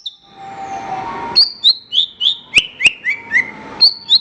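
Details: Horsfield's bush lark singing in a training recording for other songbirds: after a hissy lead-in, clear downslurred chirps come about three per second, falling gradually in pitch, with a couple of sharp clicks.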